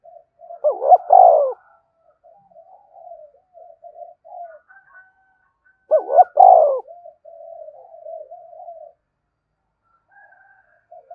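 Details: Spotted dove cooing to stimulate other doves: two loud, rolling, throaty coo phrases about five seconds apart, each trailed by long runs of soft, low, stuttering coos, with faint higher notes late.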